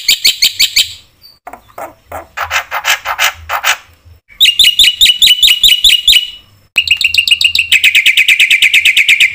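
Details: Black-winged myna singing vigorously, a song full of varied phrases, played to provoke other mynas: fast runs of sharp high chirps, a harsher buzzy stretch, then a dense rapid trill of bright notes.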